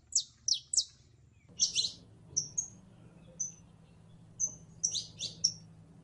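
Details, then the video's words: Canario criollo, the saffron finch, singing a sequence of crisp high notes: quick downslurred chirps at first, then short whistled notes and a rapid cluster near the end, over a soft background hum. "CANARIO CRIOLLO EN PRELONO CANTO: UN SONIDO QUE ENAMORA"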